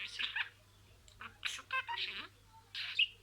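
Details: Budgerigar mimicking words with short, hoarse, speech-like bursts, soft ticks, and a high squeak near the end, the phrases separated by brief pauses.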